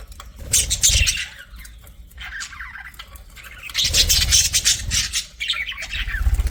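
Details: Pet budgies in two bouts of scratchy chatter and high squawks separated by a quieter gap, with low rustling or fluttering noise underneath.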